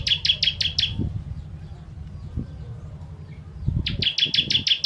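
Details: Bar-winged prinia (ciblek) song of the 'tembakan pedas' type, used as master material for songbirds: a short run of five sharp chirps, a pause with soft low thumps, then a fresh rapid series of bright repeated notes.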